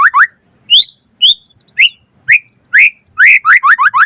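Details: Lure song of a white-rumped shama for prompting other birds to sing: clear rising whistles spaced about half a second apart, ending in a fast run of five bright upslurred notes.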